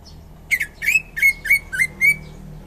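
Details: Greater green leafbird, a champion bird from Indonesia, singing a run of six clear whistled notes near the same pitch, each with a brief buzzy onset, spaced about a third of a second apart.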